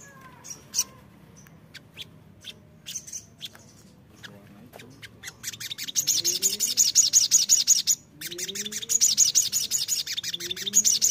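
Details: Sogon, an untrained bird, in a lure recording meant to make it sing readily: faint scattered chirps, then from about six seconds a fast run of sharp, high notes near three per second, broken by a short pause, with soft lower rising whistles beneath.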